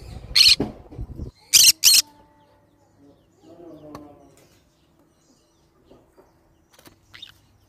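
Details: Green-cheeked conure pet bird uttering three loud, rasping screeches in quick succession, followed by a soft murmuring sound and a few faint clicks, with a thin high note near the end.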